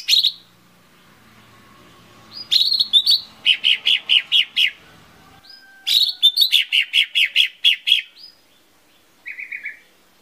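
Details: Lesser green leafbird song used as a lure to get birds singing: a short high note, then two bursts of rapid, evenly repeated sharp chirps, each burst about two seconds long, with a brief buzzy phrase at the end.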